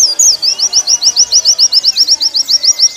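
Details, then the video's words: Warbling white-eye singing in a recording meant for training caged birds: a steady, quick string of high, bright, down-slurred whistles, roughly six per second, with a faint lower whistle underneath. "Masteran pleci paling ampuh"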